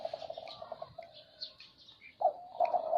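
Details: Zebra dove song: a quick rattling string of short, soft notes, then a pause, then a louder purring coo near the end, with faint high chirps from other birds in the background.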